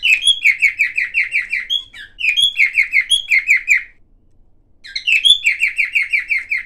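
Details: Silver cockatiel's varied chattering song: quick series of descending chirps with whistled accents, two phrases, then a pause of nearly a second before another chirping run.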